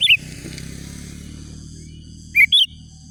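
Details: Rival-calling song of a Sooty-headed bulbul meant to lure wild bulbuls: a bubbly note at the start, then a quick pair of warbled whistles near the end, with constant low rumble and a high ringing hum.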